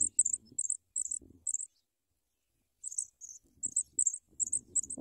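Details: Sprague's pipit chicks begging while being fed big worms: bursts of very high, thin double chirps repeated quickly in two runs separated by a two-second pause, with soft low rustling beneath.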